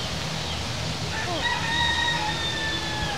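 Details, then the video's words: A free-roaming local chicken on a street in Key West, Florida, gives a drawn-out, strained crow after a couple of short clucking notes, over a steady low rumble of street noise. "আপনারা মুরগির শব্দ শুনতে পাচ্ছেন বোধয়।"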